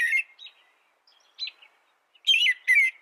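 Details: Short burst of American robin song for bird training: one caroled phrase, a pause with a few faint twitters, then two loud warbled phrases close together.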